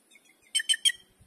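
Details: White-naped jay that came to feed gives three quick, harsh, nasal notes in an even burst, followed by a faint low thump.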